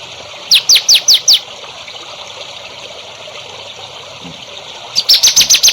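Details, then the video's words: Songbird from a masteran training recording for future champion birds: a short run of five quick, high, down-slurred notes, a long pause with steady hiss, then another rapid burst of six high notes. "MASTERAN BURUNG HANDAL UNTUK CALON BURUNG JAWARA"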